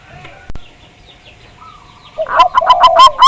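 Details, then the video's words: Zebra dove lure song meant to set other doves singing: after quiet, thin whistles from other birds, a loud run of rapid, throbbing coos starts and is still going when the recording ends. "Pancingan Perkutut Agar Bunyi, Suara Besar Mantab"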